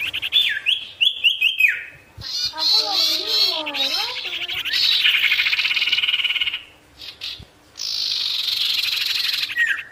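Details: Vigorous ashy tailorbird song to bait wild rivals: falling whistled notes at the start, then long buzzy rattling trills broken by brief pauses, closing on a downslurred whistle.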